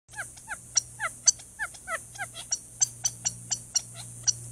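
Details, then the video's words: An off-camera male Gambel's quail in a chaparral thicket sounds alarm at a Cooper's Hawk at a desert watering hole near Tucson, Arizona: sharp, clipped notes, about three per second, some slurring downward, over a low steady hum. "Noisy Quail Sounding Alarm"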